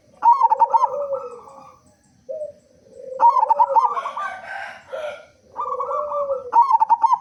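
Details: Loud local zebra dove singing to lure other doves into song. Repeated runs of rapid throbbing coos mix with long low hums, and a brief scratchy chatter interrupts in the middle.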